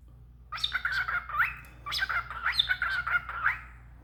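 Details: Sprinkles, a roughly 10-month-old male talking cockatiel, chatters in two quick, warbling bursts of imitated speech with buzzy rising and falling syllables.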